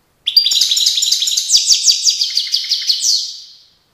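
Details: European goldfinch from Tiaret, 2019, delivering one continuous three-second phrase of quick, tinkling twitters and rolling trilled notes that fades away at the end.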